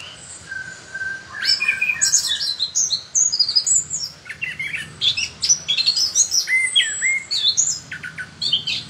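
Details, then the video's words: A chestnut-capped thrush in full, frequent song gives a lively, varied song of high whistles, chirps and quick trills in nearly continuous phrases, with faint background hiss. "Kicauan Anis Kembang Gacor"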